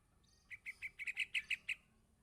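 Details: Young yellow-vented bulbul calling for its parent, giving a single quick run of about nine sharp, high chirps that grow louder toward the middle before stopping abruptly.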